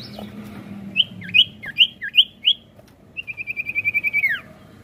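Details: Sirtu giving a lure song to stir other birds into song: five bouncing V-shaped chirps, then a fast rolling trill of about a dozen notes ending in a steep downward whistle.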